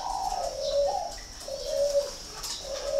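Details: Spotted dove from a breeding farm in Ba Vì, Hanoi, northern Vietnam, giving soft mellow coos that slide down and level off, three phrases in quick succession over a faint steady high whine and light clicks.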